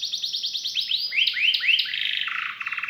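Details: Singing canary showing prized song phrasing and rich fill: a fast run of falling notes, three arched upswept whistles, then lower buzzy pulsed rolls at the end.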